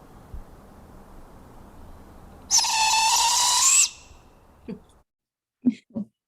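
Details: Juvenile Barred Owl fledgling screech, a call that carries far through the forest: one harsh, hissing, broadband screech lasting over a second, rising out of low background hum, followed by a few faint clicks and knocks.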